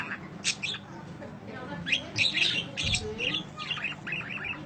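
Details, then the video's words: Long chirping of a budgerigar, recorded as training audio for birds: quick high chirps and squeaky warbled notes in loose clusters, with faint human voices behind. "Kicau Panjang Parkit Masteran"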